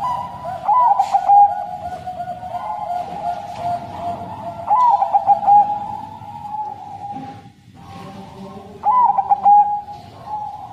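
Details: Bangkok-type crossing zebra dove, kept as a lure bird, giving its long, sad-sounding song. Three bubbling, rolling coo phrases arrive roughly every four seconds above a constant droning tone and soft low rumble.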